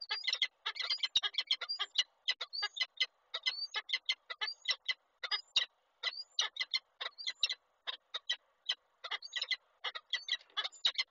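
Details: Peregrine falcon, Koszalin, Poland, 8 March 2023; the male carries in a gift, which the female ignores before departing, and it ends up hidden in a corner. A long, steady series of rasping chattering notes with occasional thin upslurred squeals.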